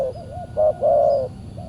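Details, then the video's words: Spotted dove heard in a decoy trapping session on a Saturday, a wild bird described as fierce answering; soft low coos followed by a short and a long loud hoot, then a trailing coo. "PIKAT BURUNG TEKUKUR D GIMBALIN BL SUPER g4Rang"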